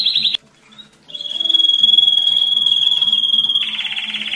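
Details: Canary song for exciting males and preparing females to breed: a short trill, a brief silence, then a long pure whistled note ending in a fast rattling roll.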